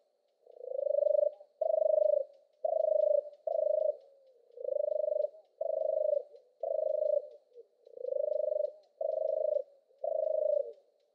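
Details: European turtle dove singing: ten deep, pulsed purring phrases, each under a second long, delivered about once per second with short gaps between them, in an otherwise quiet setting.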